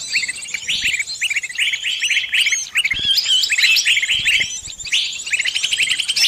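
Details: A trapped bird calls to its flock for help. Busy, high-pitched chirping and squeaky twitters overlap in quick bursts, with a few sharper upward notes near the middle.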